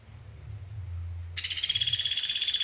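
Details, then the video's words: Sunda pygmy woodpecker (pelatuk beras) gives a faint thin whistle, then a sudden dense, buzzy high trill of rapid notes, about ten per second, running on steadily to the end. "PELATUK BERAS"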